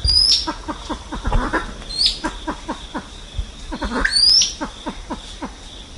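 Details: Silver pheasant calling to gather its flock: rapid low descending clucks, interrupted by three sharp, rising high whistles.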